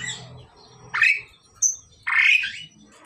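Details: Pair of pied mynas, male and female, in the process of pairing: two raspy rising squawks about a second apart with a short high chip between, low hum underneath.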